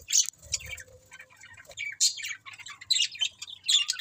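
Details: Budgerigars chirping: bright, rapid high chirps and warbled squeaks in quick bursts, with brief scratchy notes and a few low rustles between calls.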